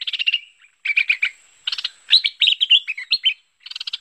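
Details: Lure recording of merbah lekir bulbul: rattling, rasping note trains alternate with quick, bubbly chirped phrases over four seconds, with short silent gaps between.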